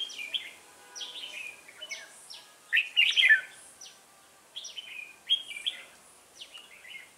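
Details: Red-whiskered bulbul, a decoy bird used in trapping, recorded 1 October 2018: a run of short, sharp whistled phrases sweeping down from about the high register, loudest burst near the middle, phrases repeated several times a second, with faint background hiss.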